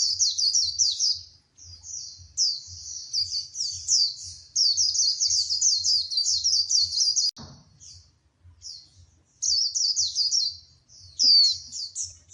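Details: White-eye, a female rousing the male to sing: long runs of shrill, fast chattering trills at high pitch, a brief click and lull midway, then renewed twittering with a sharp downslurred note.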